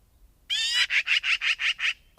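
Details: Magpie giving one grating nasal note that runs straight into a quick rattle of six rasping chacks.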